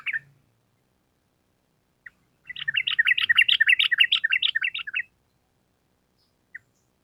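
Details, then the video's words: Sooty-headed bulbul in lively 'gacor' form, giving the long 'ropel panjang' song that serves as a training model. It sings one sustained rapid rattle of sharp, bubbly notes lasting about two and a half seconds, with a few isolated chips around it. "Pancingan Trucukan Gacor Ampuh Untuk Masteran Burung Trucuk Supaya Cepat Nyaut Bunyi Ropel Panjang"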